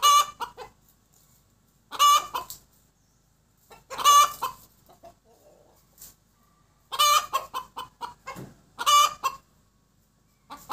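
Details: A laying hen cackles loudly and harshly: bursts of rapid clucks ending in a drawn-out squawk, repeated about every two seconds, with no other sounds. Chicken.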